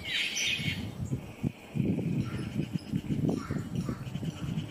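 A Yucatan jay gives one harsh, raspy call at the start, followed by low rumbling wind or handling noise.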